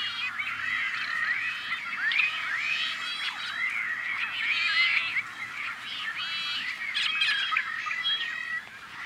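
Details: Rare Tricolored Blackbirds at an on-farm nesting colony in California's Central Valley, May 2012. A long, unbroken babble of wheezy, twanging, arched calls and coarse squawks from many birds, fading slightly at the end.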